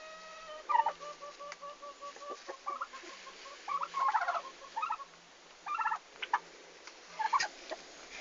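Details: Farm turkeys on arrival day, 11 August 2015, Estonia: steady thin piping whistles held level, broken by occasional short gobbling bursts and clucks.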